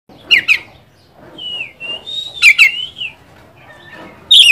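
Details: Oriental magpie-robin, Kacer, singing to stir up a rival: sharp clicky notes mixed with drawn-out wavering whistles and a loud sharp note at the end.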